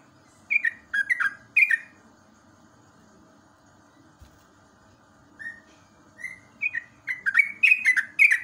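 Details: Natural morning song of a yellow-vented bulbul, used to prompt young caged birds to sing: a few liquid whistled notes, a long pause with soft single whistles, then a lively bubbling phrase.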